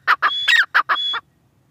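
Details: Grey francolin (teetar) giving a brief burst of harsh, clipped notes: two short notes, a longer ringing note with a steady whistled overtone, then another short note and a ringing note, ending abruptly after about a second.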